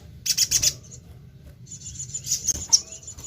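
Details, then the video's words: Crimson sunbird delivering a short burst of shrill chips followed by a fast, sustained high buzzing trill with a few emphatic notes near the end. "BURUNG SOGON GACOR#PANCINGAN SUARA BURUNG SOGOK ONTONG#SOGON BAHAN PASTI IKUT BUNYI#TES SUARA SOGON."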